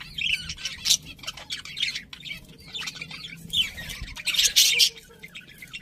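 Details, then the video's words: Several budgerigars chattering, a continuous mix of scratchy warbles, short rising whistles and sharp chirps, with a louder harsh squawk burst near the end. "Cute Budgies Chirping Sounds"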